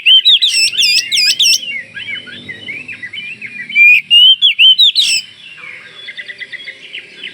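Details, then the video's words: Oriental magpie-robin from Kalimantan, singing vigorously to draw replies from other magpie-robins: loud looping whistles and sharp repeated notes in fast bursts, then softer chattering phrases, with faint low noise behind. "Kicau Kacer Kalimantan gacor bikin Kacer cepat ikut nyaut dan ngeplong"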